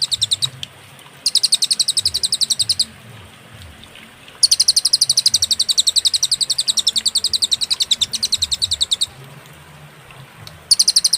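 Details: Clear cililin master song with pauses, for teaching songbirds: several bursts of rapid, high, penetrating chirps, each lasting a few seconds and separated by quiet gaps, notes coming at roughly four per second.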